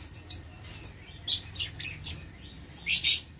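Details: Lovebirds in an aviary cage, 6 November 2022: a scatter of soft, high chirps over a hissy background ends with a loud, harsh, rapid squawking burst.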